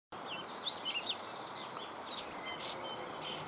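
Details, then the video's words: A Eurasian blackcap sings a quick, varied run of high chirps and short fluty notes over a steady outdoor hiss. "FAUVETTE à TETE NOIRE - Chant d'oiseau"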